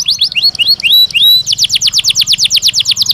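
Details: Belgian canary song as a training stimulus: several rising whistled slurs, then a steady rhythmic trill of broad descending notes, about six per second, with a faint low hum behind.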